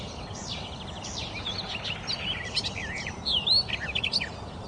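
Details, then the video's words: Birds chirping in a busy, overlapping chorus of high, looping whistles and rapid twittering notes, rising and falling almost without pause over a soft steady hiss. "Birds Chirping Theme"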